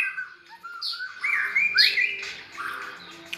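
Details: White-rumped shama kept near red-whiskered bulbuls, singing in a bulbul-like voice: slurred whistled phrases rising and falling, loudest in the middle, with faint background hum.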